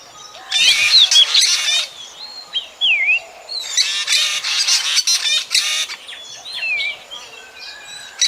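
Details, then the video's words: A black drongo, recorded as a lure for bird trapping at night, gives rasping chattered bursts alternating with short whistled slurs that dip and rise, repeated several times. "Tiếng chim Chèo Bẻo kinh tế"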